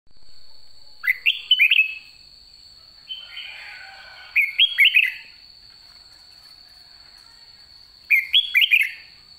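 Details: A caged red-whiskered bulbul at the end of the season sings short, bright, bubbly whistled phrases about every three and a half seconds, with a steady high electronic whine underneath.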